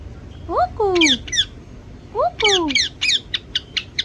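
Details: Pet parrot attempting "mummy papa": two paired phrases of a short rising note followed by a longer falling, voice-like syllable, then a series of brief squawky chirps repeated about every quarter second.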